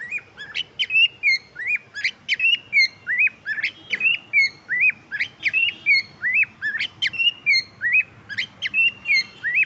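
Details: A happy cockatiel, singing while playing, gives a lively run of rising whistles and sharp chirps, repeated in quick bursts.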